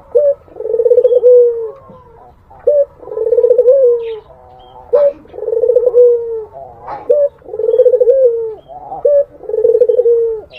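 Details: A Barbary dove repeats its luring song to a rival: five low purring coos across ten seconds, each opened by a short sharp note and ending in a sustained, gently falling trill.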